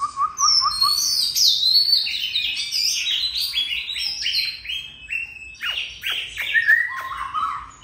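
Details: Oriental magpie-robin in long continuous song, opening with a few repeated low whistles, then a fast medley of high swooping whistles, downward sweeps and chattering notes, ending on clear mid-pitched whistled phrases.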